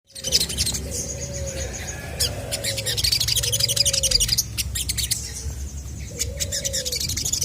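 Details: Chestnut-backed scimitar babbler in lively, full song, used to make other birds answer: low, mellow, steady whistled notes, each held under a second and repeated at a slow pace, under dense high chirping and trills from other birds.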